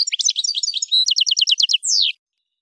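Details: Algerian goldfinch from Kef El Hammam, Souk Ahras, singing to tutor caged birds: quick tinkling twitter, a flat held whistle, a crisp evenly repeated trill, then a falling drawn-out note.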